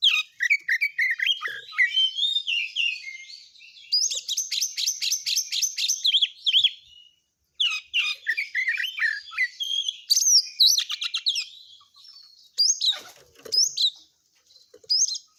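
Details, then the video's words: Caged oriental magpie-robin in full, dense song, delivering quick chattering runs, rattling trills and bright whistles in rapid succession, with varied mimicry phrases and brief silent gaps, no other sounds. "Burung Kacer Full isian Speed Rapat"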